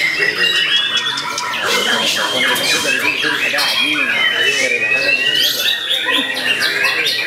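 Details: Young competition white-rumped shama, eight to nine months old, with a steady, energetic song mixing long sliding whistles, quick repeated chips and harsh buzzy squawks throughout.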